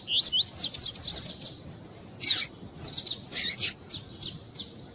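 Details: Double-collared seedeater (coleiro tuí-tuí), a female calling to excite a male, mixed with male singing: a run of quick rising whistled upslurs, followed by sharp buzzy bursts repeated irregularly.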